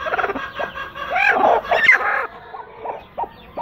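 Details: Two broody hens sitting together; uneven clucks and low murmuring notes, louder in the first two seconds then trailing into softer scattered clucks.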